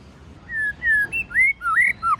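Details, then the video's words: White-rumped shama in forest voice, giving clear, fluty whistles. Each note is a long, level or gently rising slur, with several spaced notes climbing and falling in pitch, over a quiet background. "chòe lửa hót giọng rừng kích bổi"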